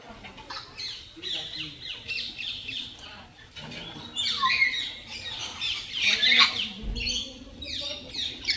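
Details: Parrot chirping loudly, natural sounds: a busy stream of high, sharp chirps and short squawks, overlapping and irregular, growing louder halfway through, with a faint lower murmur underneath.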